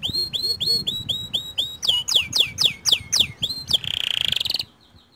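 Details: White canary used as a lure for other canaries: repeated rising whistled notes, a series of loud sweeping falling syllables, then a dense buzzy trill before fading out.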